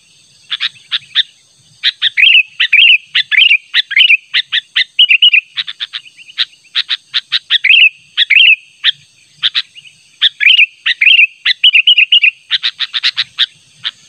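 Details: Sooty-headed bulbul calling persistently to attract a rival, natural voice: long busy stream of sharp chirps mixed with rich, bubbling warbled phrases, nearly continuous over fourteen seconds and ending in a dense burst of rapid chirps.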